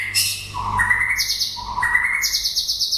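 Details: White-rumped shama in song late in the breeding season, giving rich whistled phrases: mellow notes that slide upward, each followed by a high sustained whistle, repeated twice.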